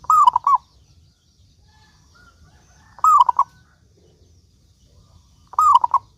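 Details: Local zebra dove, loud and frequent singer, used as a lure to make other doves sing: three cooing phrases about every 2.7 seconds, each a drawn-out slurred coo followed by quick beaded notes, over a low rumbling hum.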